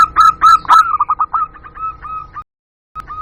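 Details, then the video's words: Local zebra dove lure call: a fast series of short, clipped cooing notes at steady mid pitch, about four per second, fading into softer notes, then a brief silence and a last note. "Suara Pikat Burung Jitu Perkutut Jamin Nyaut Kutut Lokal"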